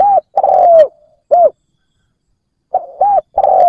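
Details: Decoy spotted dove luring wild birds with deep, clear coos. Two phrases, each a short rounded coo, a long drawn-out coo gently dropping in pitch, and a final curved note. A pause of over a second separates the phrases.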